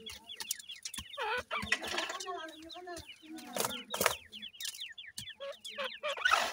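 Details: Fluffy grey francolin chicks peep in quick series of thin, descending notes, mixed with lower throaty chuckles and a few sharp rustling noises.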